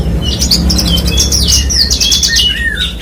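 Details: Horsfield's bushlark singing loudly, with falling slurred whistles and rapid high chirps woven together against a strong low-pitched hum.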